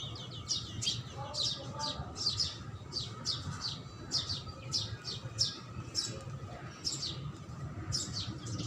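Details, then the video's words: House sparrow chirping rapidly, a dense run of around twenty high, short chirps that comes in bursts and slows near the end, above a steady low background rumble. "HOUSE SPARROW Food(Sparrow Sound)"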